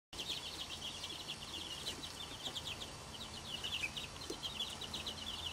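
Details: A mother hen with her 12 chicks on a farm in North Carolina; dense, rapid high-pitched peeping from the chicks, short chirps running in bursts throughout, with a faint low hum of outdoor background.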